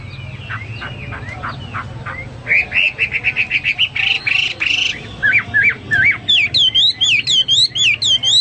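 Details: Hwamei singing energetically ('gacor'): soft slurred whistles, then a rapid repeated chipping series, a few curling whistles and a closing string of high, clear wavering notes.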